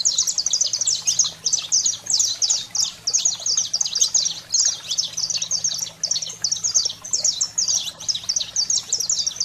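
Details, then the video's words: Saffron finch (canário-da-terra) in the 'fogo selvagem' style, played to stimulate and fire up pet canaries: dense, continuous stream of high, sharp chips and short slurred notes, hardly pausing, over a faint low hum. "Canário-da-terra Fogo Selvagem"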